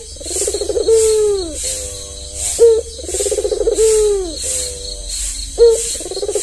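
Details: A tame white albino Barbary dove with red eyes, used as a lure for doves reluctant to call, gives low rolling coos that fall and then break into a short clipped note, repeated about every three seconds over loud pulsing insect buzz.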